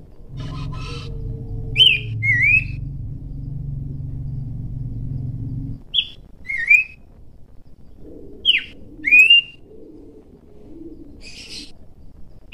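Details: Wild Abbott's Babbler singing short, clear whistled phrases of two or three notes, repeated after pauses.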